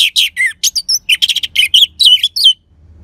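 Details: Lively, crystal-toned song of an orange-headed thrush, played to spur sluggish or stalled birds to sing: a dense rapid jumble of varied chirps, slurs and trills, ending in a few clear ringing whistles.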